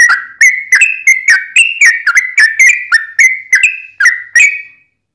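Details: Yellow-vented bulbul in a long, rapid 'ropel' song, used as a lure to make other birds answer: about a dozen bubbly whistled notes with sharp attacks, each sliding and wavering, delivered in quick uneven succession.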